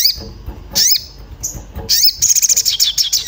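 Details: Orange-bellied flowerpecker in an agitated state seeking a mate, a lure for making birds sing: a few high sweeping chirps followed by a fast, pulsing high trill.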